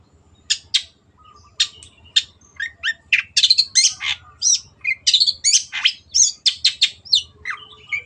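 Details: {'caption': "Long-tailed shrike in vigorous 'gacor' song: a fast, varied run of sharp high chirps, buzzy notes and short whistled phrases. It starts sparse, then the notes come in a dense, continuous burst with little fixed rhythm. A low hum runs underneath."}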